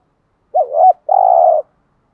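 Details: Spotted dove cooing, male and female, used to stimulate a trained bird: a short wavering low coo followed by a longer steady hollow coo, in an otherwise quiet recording.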